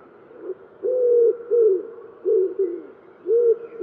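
A common wood pigeon gives deep, hollow, mellow coos, about five notes in a rhythmic phrase with brief pauses between them.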